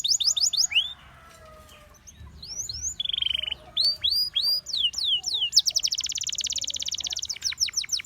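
A Gloster canary sings a fast, varied song of high whistled sweeps and chirps, broken by buzzy rattling trills and quick repeated notes.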